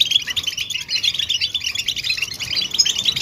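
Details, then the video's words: Goldfinch stimulation calls meant to make a quiet male sing: a busy stream of sharp, high chirps and liquid twitters, densely packed and steady in loudness across the whole stretch. "بتبتة الحسون نداءات فعالة في علاج صمت الحسون"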